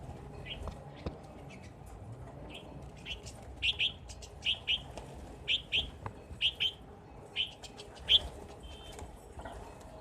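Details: Rosy starling in winter: short, bright chirps given in an uneven series, about a dozen across ten seconds, some in quick pairs, over a soft low rumble of background noise.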